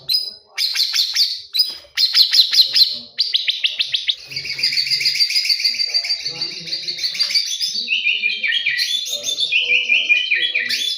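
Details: Morning song of a white-rumped shama, a dense, rapid, continuous run of high chattering notes and trills, with stretches of quick repeated elements and rising whistles in varied phrases.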